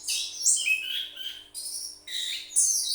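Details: Orange-headed thrush kept as a cage bird delivering a few loud, high whistled and chirring phrases separated by brief gaps.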